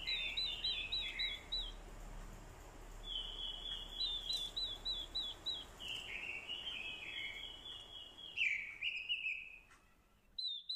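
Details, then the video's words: Orange-headed thrush used as a lure bird, mixed with a female's call meant to provoke males into fighting song; rich whistled phrases with rapid rippling trills and downslurred notes, in bursts separated by short pauses, over steady background hiss. "Chim Quế lâm mồi, hót đấu cực hay. kèm tiếng quế lâm mái, kích trống hót đấu hay."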